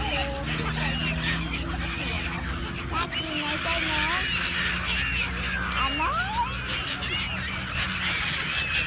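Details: A busy gull flock: numerous sharp rising and falling cries and longer slurred wails overlap continuously over a deep steady engine-like hum.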